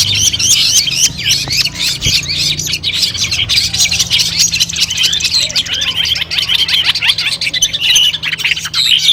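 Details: Long-tailed shrike training song for a competition: fast, continuous high twittering and chattering, layered scratchy notes with a few sharp rising whistles, steady throughout.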